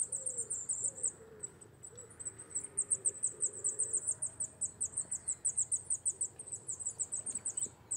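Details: Rock-climbing Wallcreeper, a rare wintering bird from November to March: an unbroken string of thin, piercing high ticks repeated several times a second, with quiet low noise underneath.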